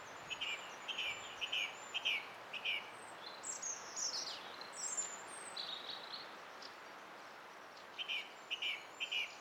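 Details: Song thrush song recorded 20 April 2016: a short phrase of clipped notes repeated three to four times, then varied squeaky, twittering phrases, then the repeated phrase again. Quiet, with steady background hiss.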